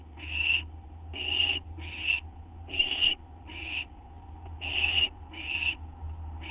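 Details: Owl nest at night, 6 September 2011, food being brought in; a series of short, harsh, noisy hisses, about eight bursts in under seven seconds, with low droning hum beneath.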